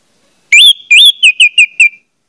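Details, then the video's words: Single phrase of orange-headed thrush song used to prompt other orange-headed thrushes to sing: two long, rising whistled slurs followed by four shorter, falling whistles, all loud and clear, lasting about one and a half seconds. "pancingan anis merah bikin anis merah lain cepat ngeplong"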